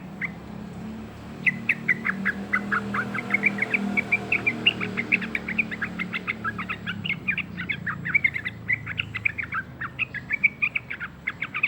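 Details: Two-month-old sooty-headed bulbul learning to sing: after a quiet start, a long run of quick, scratchy chirps and short slurred notes tumbles on without pause, over a steady low hum in the background.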